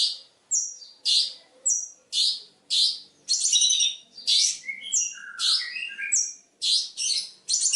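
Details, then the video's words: Long-tailed shrike song used as a master recording for training other birds: a loud, varied run of harsh buzzy bursts and chirps with interjected whistled mimicry-like notes, phrases roughly every half second, some lower slurred notes midway. "PANCINGAN MASTERAN BURUNG CENDET | FULL ISIAN MEWAH GACORRR !!!"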